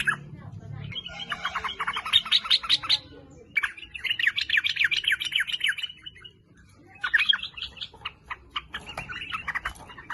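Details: Sooty-headed bulbul singing actively, a lure recording meant to prompt other bulbuls into song; bursts of rapid, bright chattering notes in three runs separated by short pauses, with soft low rumble beneath.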